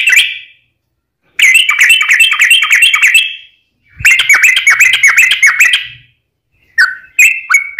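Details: Long rapid sooty-headed bulbul fighting song used to stir other bulbuls: two dense bursts of fast bubbly chirps separated by silence, then scattered whistled notes.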